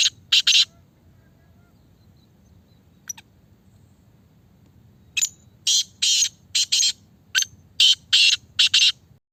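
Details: 'Speeder' kala teetar, a Sindhi black francolin said to call eight times a minute: two grating notes open, then after a pause a rapid run of about eight harsh, scratchy notes in uneven pairs, with a steady low hum underneath.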